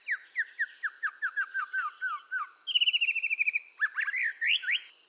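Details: Red-whiskered bulbul in full song while being trained to sing: a series of clear downslurred whistles about five per second, a fast buzzy trill, then loud rising and falling whistled phrases.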